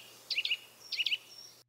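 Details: Eurasian nuthatch, a forest bird in Germany, calling: two quick bursts of three sharp, high, whistled notes, 'twit-twit-twit', about half a second apart, over a faint low hum.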